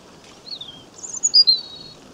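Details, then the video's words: European robin singing a gentle song beside a stream in Cornwall, Great Britain, filmed in May 2015: thin high whistled phrases, a sliding note then bright sustained tones, over soft background hiss. "Robin Bird Singing A Gentle Song at The Stream"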